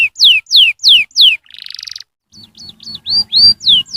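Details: Canary song played to get young canaries singing: series of clear down-slurred whistles, a short buzzy trill, then chirped hooked notes and rising whistles.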